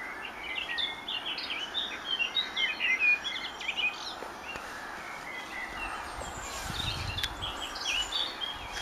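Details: Evening birdsong over a vineyard as the sun sets: bursts of high chirping and twittering notes fill the first half, then fade to scattered distant chirps against a constant outdoor hiss, with a brief low rumble near the end.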